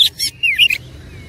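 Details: Brief burst from an oriental magpie-robin (kacer) in fighting mode: a buzzy chatter followed by quick, sliding whistled notes, then near silence.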